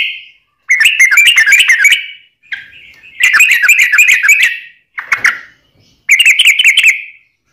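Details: Yellow-vented bulbul, recorded for training caged birds and attracting wild ones, singing rich chattering whistled phrases of about a second each, separated by short gaps, one harsher note among them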